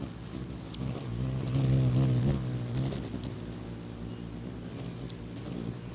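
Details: Rufous hummingbirds fighting to perch on a man's finger, 20 May 2020: a low droning wing hum swells and fades while thin, very high chip notes tick out in scattered bursts.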